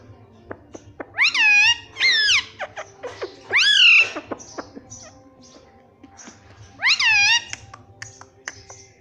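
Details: Pet ringneck parrot kept at home, talking: a few loud, clear, arched, harmonic word-like calls, each about half a second long, spaced by short pauses, with quiet room hum behind.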